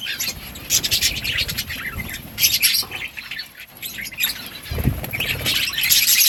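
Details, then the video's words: Several budgies chattering with fast, high squeaky chirps and warbles, a short lull in the middle, a low thud, then the chatter swelling louder. "Budgies parrot chirping sounds parakeet sounds"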